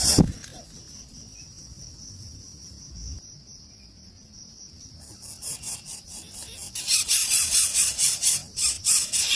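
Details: Hungry wild nestlings in the nest break into harsh, hissing begging screeches as a parent arrives with food, in quick bursts of about two or three a second, over a steady high insect drone.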